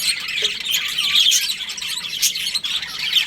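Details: Short burst of budgerigar colony chatter in breeding season: piercing, fast chirps and twittering from several birds, heard indoors.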